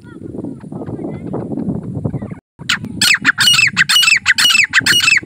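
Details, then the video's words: Grey francolin (partridge) calling: loud, harsh, ringing notes about twice a second after a low rumbling murmur of background noise. "teetar ka awaz calling Partridge sounds Francolin voice"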